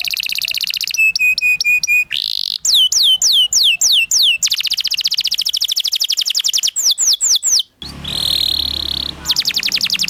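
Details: Canary singing continuously as a master tutor for young canaries learning to sing: rapid series of repeated notes, sweeping downward trills and buzzy rolls, changing tours every second or two, loud and high-pitched throughout.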